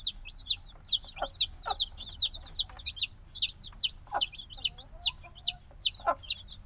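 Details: Days-old black chicken chicks peeping loudly in a binaural field recording; distinct high arched chirps repeat at a steady pulse of about two per second, layered from several birds, plus a few dull knocks.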